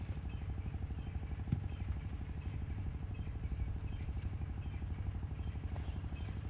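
Steady low engine rumble of a vehicle during a sunset safari drive, with occasional faint clatter and no animal voice.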